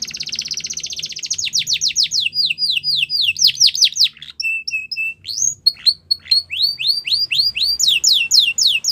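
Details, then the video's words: Yorkshire canary song meant for training young canaries: rapid trill, then tours of descending whistled notes, brief steady pure tones, and more repeated downslurred phrases. "Canaries Singing For Training | Yorkshire Canary"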